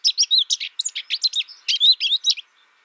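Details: Short burst from an American goldfinch: lively high chirps and sweet, slurred notes tumbling quickly for about two and a half seconds, then silence.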